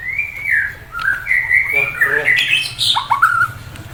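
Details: White-rumped shama giving loud, sliding whistles that rise and fall, mixed with harsher chattering notes and a short high burst, against steady background noise.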